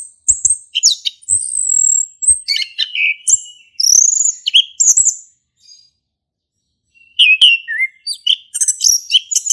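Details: Male orange-headed thrush singing in the ngeplong style, used as a lure to prompt a silent thrush to sing: a rich jumble of high whistled slurs, chirps and rapid mimicry-like phrases, with a short pause midway.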